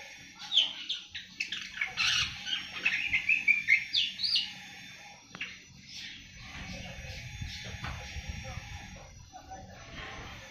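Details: Seven-month-old awar-awar starting to sing: a quick run of thin, bright chirps and twittering notes for several seconds, then quieter scattered notes over steady low hum.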